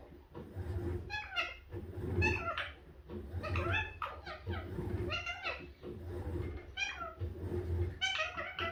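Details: Talkative green-yellow mutation Indian ringneck parakeet kept as a pet indoors, producing bursts of rapid, voice-like syllables with bending pitch contours, clustered in short phrases separated by brief pauses, with low room rumble beneath.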